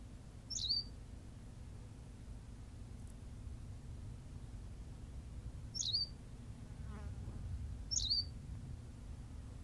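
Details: On La Gomera, Canary Islands, a Berthelot's pipit repeats a sharp, high, squeaky phrase three times at irregular intervals of several seconds; a faint lower rattling sound appears between calls over a constant low rumble.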